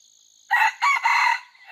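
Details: Red junglefowl of the F2 generation being trained, dated 5/9/2020, gives a strong, rough crow in three joined bursts, the last one long and sustained, then a new note rising at the end, with insects droning behind.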